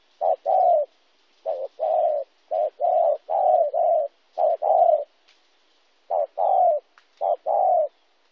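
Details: Spotted dove cooing in Kon Tum, Vietnam, on 26 January 2016: mellow, low coos in repeated phrases, each a short note followed by a longer, slightly falling coo, about seven phrases with brief pauses between them.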